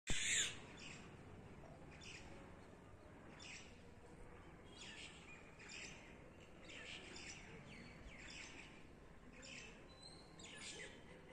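A myna gives faint, short chirps and squeaky notes every second or so, over a steady low hum of outdoor background noise.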